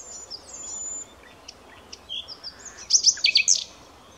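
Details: Common nightingale with a few soft, scattered notes, then a short, loud, chattering burst of varied rapid notes near the end. Faint bird chirps are in the background.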